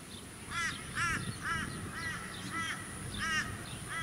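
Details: Australian wood duck (Chenonetta jubata) calling at a small artificial lake on Queensland's Sunshine Coast in February 2018: nasal, rising-then-falling mewing notes repeated roughly every half second, about seven in four seconds, over steady suburban hum.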